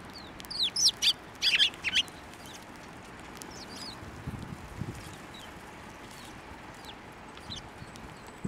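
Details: Sparrows flying onto a hand to take food at a Tenmangu shrine, 1 March 2024; a burst of sharp, high chirps in the first two seconds, then faint scattered chirps over a low background rumble.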